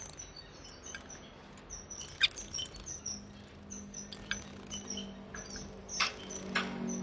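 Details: Male Timor zebra finch singing with females calling, 4 January 2020: rows of faint high piping notes, a few sharp clicks and chirps, and a rising low hum toward the end.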